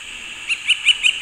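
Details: A male Northern flicker drums on a basketball hoop in a local park in July 2017, claiming territory and/or attracting a mate: a bright ringing metallic tone with several quick louder bursts over about a second.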